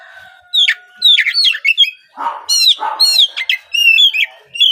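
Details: Kacer trotol, a young spotted Oriental magpie-robin, sings a morning lure song to set other birds singing: dense, varied whistles and chirps delivered almost without pause, with a steady faint tone behind them.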